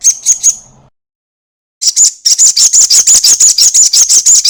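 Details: Crested jay long rattle used as a lure to encourage other birds to sing: three quick high notes, a pause, then a loud, steady rattle of about thirteen evenly spaced dry pulses.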